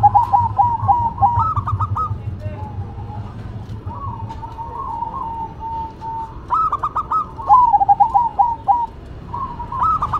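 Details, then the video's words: Zebra dove song in a duet of a local bird and a cemani, with stuttering coo bursts alternating with long, smooth wavering trills, phrases repeated over faint low hum. "Duet Perkutut irama, Lokal Vs Cemani"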